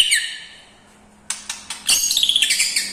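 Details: White-rumped shama singing a song stuffed with lovebird, kapas tembak and cucak jenggot imitations: a brief falling whistle, a pause, then sharp clicks and a quick burst of chattering high notes.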